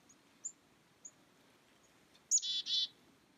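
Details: A chickadee in the cold on 2 January 2019 at 2:10 PM gives a few thin, high chips, then a sharp note followed by two or three harsh, buzzy 'dee' notes; otherwise quiet.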